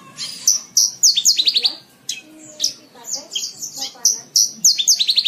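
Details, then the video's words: Bush lark song for tutoring young cage birds, dense and high-pitched: sharp whistles, downslurred notes and rapid rattling trill runs, nearly continuous with one brief gap. "MASTERAN BRANJANGAN SATU JAM FULL"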